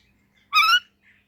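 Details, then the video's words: Pet Indian ringneck parrot talking to itself in front of a mirror, with an Alexandrine parrot nearby: one short, rich, slightly wavering voiced note lasting about a third of a second, then a faint murmur in an otherwise quiet room. "Funny Ringneck Parrot Talking in Mirror"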